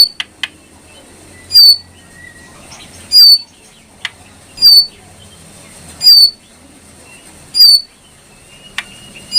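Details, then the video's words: Brown prinia song: sharp, high notes with a quick downward-looping slur, repeated about every one and a half seconds. Brief clicks and ticks fall between them over a faint low hum. "masteran burung jongkangan coklat"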